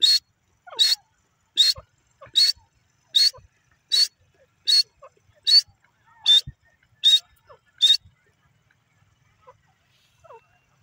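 Grey Francolin giving ten loud, shrill, harsh notes in a steady series, about one every three-quarters of a second, then falling quiet with faint background sounds.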